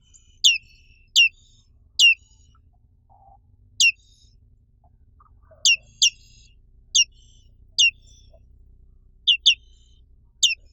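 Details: Black-capped white-eye, a species found only in Indonesia, giving sharp, high, downward-sweeping chirps. The notes come singly or in quick pairs at irregular intervals of about one second over a quiet background.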